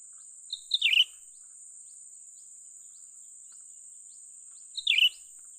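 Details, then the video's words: During trapping, a young cucak ranting bulbul utters two quick, descending, chattering calls roughly four seconds apart. Faint ticking notes and a steady background hiss fill the gaps. "memikat burung cucak ranting muda mantap"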